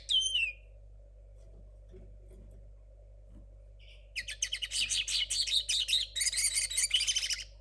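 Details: A 2022 linnet cross with an unpolished, learning song gives one thin, descending whistle. After about three seconds of near silence over a low hum, it breaks into a sustained burst of fast, buzzy twittering.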